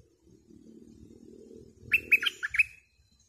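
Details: Bulbul used to lure wild birds, singing a hurried string of five falling whistled notes after a stretch of low rumbling noise.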